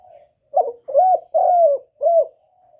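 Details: Lure spotted dove cooing to pull wild doves toward a trap. A single deep phrase of four coos: a quick broken opening note, an arched coo, a long drawn slurred coo, then a shorter arched ending note. Quiet soft cooing sits at either end.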